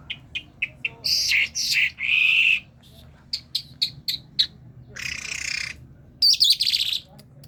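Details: A talking myna of Kerman gives short clicks and chirps, then a burst of mixed squeaks and whistles, a grating hiss and more scattered chatter.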